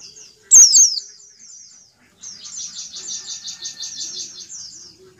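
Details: White-eye giving a tight, rapid double call, a general call used to summon other white-eyes and not yet full song: one loud high sharp burst, then a fast run of high chittering notes lasting about three seconds.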